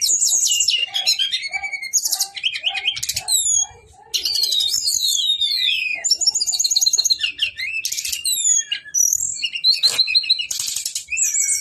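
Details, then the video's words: Long rolling song from a male Brown-chested jungle flycatcher: high chattering trills, swooping downslurred whistles and buzzy bursts, with a brief quiet gap near the middle before the rapid phrases resume. "SIKATAN RIMBA DADA COKLAT NGEROOLL PANJAAAANG"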